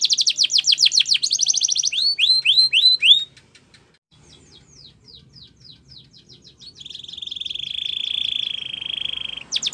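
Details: Belgian canary singing as a training song to tempt other birds to sing: fast trains of rising whistled notes, rattling trills, a quieter stretch of soft notes, then a long steady bright trill.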